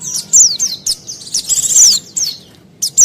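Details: Lure call of a mountain white-eye for attracting wild birds: a busy run of high, thin, sharply descending whistled notes in quick irregular succession, with a short buzzy stretch midway.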